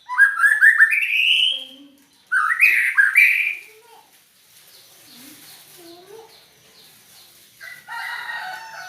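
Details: White-rumped shama with an odd voice delivering two bursts of rising, chattering whistled phrases. Soft low notes and near quiet follow, then a final burst of song.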